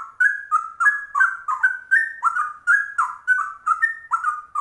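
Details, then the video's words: Rapid ropel trucuk song from a straw-headed bulbul: continuous chain of rich, flute-like warbles, each phrase stepping up or down in pitch, sung energetically and without breaks in quiet surroundings. "Trucuk langka ropelannya cucak rowo"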